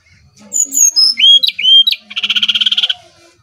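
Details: Brown-chested jungle flycatcher from Bali singing as a lure: descending pure whistles followed by two upslurred swoops, then a fast dry rattling trill of about a dozen pulses.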